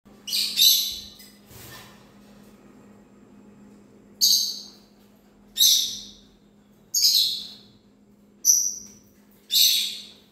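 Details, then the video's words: Parrot chirping: six loud, harsh, high-pitched screeches, each sliding off over about half a second, spaced irregularly every one to two seconds above a faint, steady low hum. "Parrot chirping sounds"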